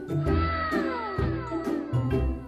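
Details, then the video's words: A rare white northern goshawk, a captive bird in falconry training, gives thin, whiny, descending wails, several overlapping in quick succession, over background music. "雪白精靈「白蒼鷹」超稀有！ 叫聲超ㄋㄞ酷帥外表反差萌"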